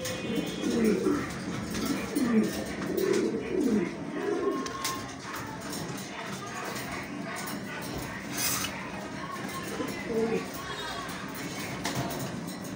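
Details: Yellow Show King pigeons, domestic birds kept indoors: low rolling coos in several bursts during the first five seconds, then fainter cooing under background clatter and room noise.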